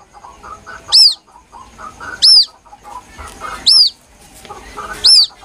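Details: Young White-breasted waterhen calling plaintively, recorded as a lure: four loud, high, arched peeps about every one and a half seconds over faint lower twittering.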